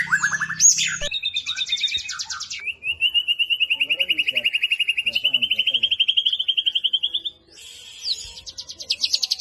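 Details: White-rumped shama performing to provoke other shamas: a few mixed chirps, then a long fast buzzy trill of many evenly repeated notes that slowly climbs in pitch, ending with a high rattling burst.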